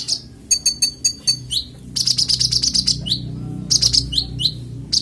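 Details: Konin (Oriental magpie-robin) song offered as clear training audio for songbirds: bright, varied phrases of rapid high chips and slurred whistles, with short downward-swept notes and dense trilled bursts, against a low background hum.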